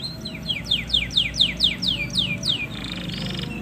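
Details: Male canary singing to stimulate a female for mating: a run of about ten sharp, loud descending whistled notes repeated roughly every quarter second, ending in a softer buzzy trill, with faint low hum beneath.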